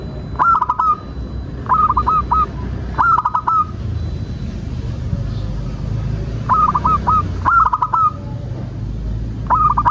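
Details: Zebra dove song meant to coax other doves into singing: six separate short phrases of fast cooing notes, each a leading note followed by rapid coos, low rumble between.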